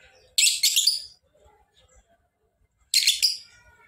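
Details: Lovebird giving two short bursts of harsh, rapid chattering notes about two and a half seconds apart, with quiet between them.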